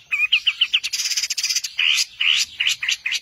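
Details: Long-tailed shrike master song: a series of quick whistled notes, then harsh buzzy chatter and more slurred whistles in rapid succession.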